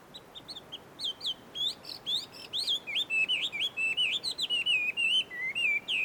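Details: Wild Chinese hwamei singing among trees at a Tenmangu shrine in Joso, Ibaraki, Japan: loud, rich whistled phrases of rapidly varied notes, slurred up and down, delivered in quick succession with brief gaps, over quiet background.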